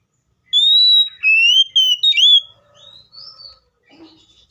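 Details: Seychelles magpie-robin singing loud, clear whistled phrases: a long steady note, then falling and rising slurred whistles in quick succession, followed by softer, fainter notes and a brief low chatter.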